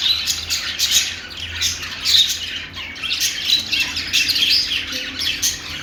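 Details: Budgerigar song: busy, buzzy warbling with clipped chirps crowded together, steady low hum in the background.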